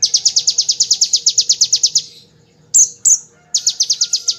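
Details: Bar-winged prinia giving its ngebren shooting song as a tutor for magpie-robins and shamas: a fast, even high trill of about twenty notes, two sharp chips, then the trill starts again.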